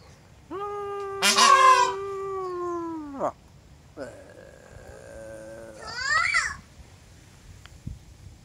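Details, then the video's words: Peafowl giving drawn-out, wailing, harmonic calls: a long steady note that drops at the end, a flatter nasal tone, then a short rising-falling cry, separated by brief pauses. "công kêu ụt ịt ụt ịt"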